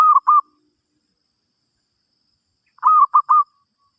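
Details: Zebra dove song used in a session teaching a new bird: the tail of one short cooing phrase, then after a long pause a crisp burst of three rolling, mellow notes, with quiet surroundings.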